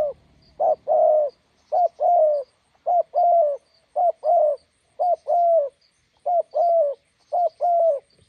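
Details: A decoy spotted dove by a roadside meets a wild bird and coos in a steady rhythm. Low, hollow two-note phrases, a short note then a longer slurred one, come roughly every second against a clean, quiet background.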